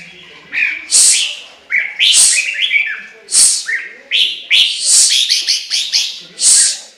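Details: Chinese hwamei delivering a rich, rapid song of loud whistled phrases, rising and swooping notes mixed with sharp high bursts, packed densely with only brief pauses over about seven seconds.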